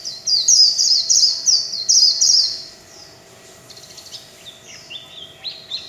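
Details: Kept warbling white-eye performing líu chòe song, a loud string of high, rushing twittered phrases for about two seconds, then quieter, scattered chirps and short descending notes.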